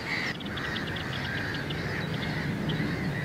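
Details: Black-necked grebe in Hollogne-sur-Geer, Belgium, in April 2016, calling with a thin, drawn-out whistle and faint quick ticking notes above it, over a heavy low rumble of wind or water.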